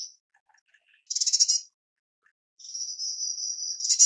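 White-bellied Erpornis giving a quick, high, rattling burst of notes, then a long thin, high trill that ends in a brief rattle. No other sounds.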